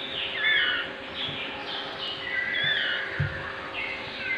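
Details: Shama nestlings suffering diarrhea and being cleaned by hand call repeatedly in short high chirps and squeaks, about one every half second to second, with low handling thumps and a steady hiss.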